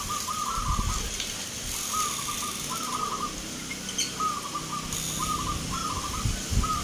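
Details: Contest-singing local zebra doves, Nglagu Ngepat Mentaraman style, Yogyakarta, Indonesia, 19 November 2023: evenly spaced short rolling coo phrases over steady background hiss and faint distant chirps.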